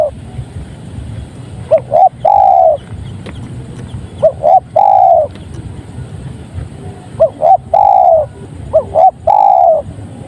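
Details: Repeated song of a spotted dove: three phrases of two clipped coos leading into a longer, smooth descending coo, separated by pauses of roughly two seconds.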